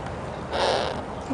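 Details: A Harris's hawk at Magnetic Hill Zoo, after flying down to visitors, gives a single harsh, rasping screech lasting about half a second, with faint background hum throughout.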